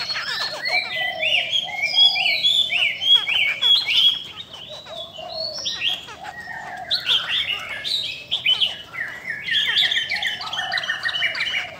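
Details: Female Chinese hwamei, said to excite males strongly, sings the 'bắt cô trớt cột' style while displaying wings and tail; long, fast, varied outpouring of whistles, twitters and chattering notes, with scarcely a pause.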